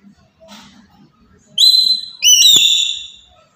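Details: After a quiet start with faint low murmuring, a black-capped lory from Papua gives two loud, ringing calls used to provoke other birds, the second stepping up in pitch with a sharp click before a long level tone.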